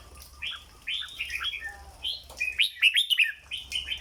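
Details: Red-whiskered bulbul, a cage bird, singing its famed 'dok' song. Mellow slurred phrases lead into a bright, loud run of quick sharp whistled notes, then softer warbles close out over light background hum.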